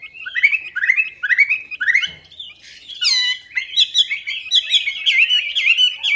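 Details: Lure song of the Chinese hwamei: three similar rising whistled phrases open the clip, then a sharp ringing note and a rich, fast, continuous warble of varied whistles.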